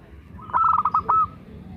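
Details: Local zebra dove kept as a lure to get other doves singing: one brief phrase of rolling, slightly warbled cooing notes over faint background noise.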